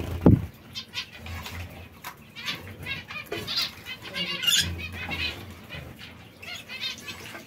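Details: Several zebra finches feeding on seeds and fresh lettuce. A dull thump opens the recording, followed by intermittent nasal, buzzy call notes, some overlapping, with low background hum and soft rustling.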